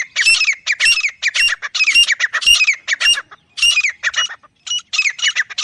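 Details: Jungle francolin (teetar), natural wild recording: continuous harsh, ringing chatter of loud rasping phrases, each a quick run of scratchy notes with a bright rising whistle-like streak, repeated almost twice a second.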